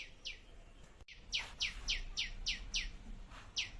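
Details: Bird in a small food forest garden giving a steady series of sharp downward-sweeping chirps, about four per second, over low rumbling background noise.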